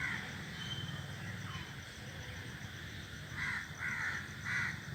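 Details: Crows gathered in a tree call out; after a few softer caws, three loud harsh caws come close together near the end, with low rumbling background noise throughout.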